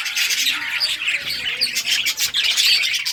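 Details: Budgies playing together, with loud, dense chirps and harsh squawks overlapping throughout and short whistled notes standing out.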